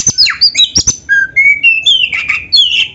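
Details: Kept black-breasted Oriental magpie-robin in vigorous song with canary-like phrasing, used to spur other birds: rapid sharp chips and swooping whistles, then a series of rising and falling clear whistled notes roughly three per second.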